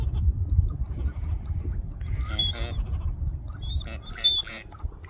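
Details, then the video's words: Wild Gadwall ducks displaying on 20 January 2024 around 10:40 give short, harsh quacks, burps and brief whistles in two bursts, with a coot among them making knocking calls, over a steady low rumble of wind or traffic. "Gadwells Wild Ducks - calls & displaying"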